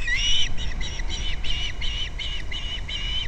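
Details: Osprey at the nest, Captiva, February 2nd, picked up by a nest camera over low rumbling noise. About eight whistled, slightly rising calls follow each other evenly, roughly three per second.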